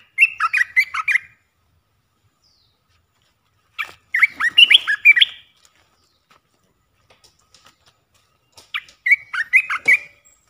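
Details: Olive-winged bulbul song of the three-phrase style, used as a decoy to lure wild birds: three bursts of quick, warbled, chattering notes, each about a second long, separated by pauses of several seconds. No other sounds are heard.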